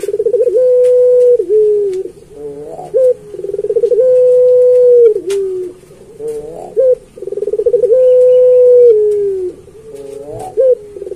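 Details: Singing puter pelung dove, used to teach other pelung doves: each phrase starts with a rapid throbbing trill, holds a long flat coo, dips at the end and adds a brief rising note. Three such phrases come in a row.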